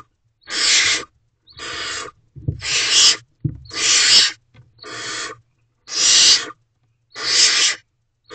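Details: Barn owl owlets hiss inside their nest box at 8:41 pm on 30 April 2023 while food is delivered. Seven steady, noisy hiss bursts come roughly a second apart, with a few soft thumps in between.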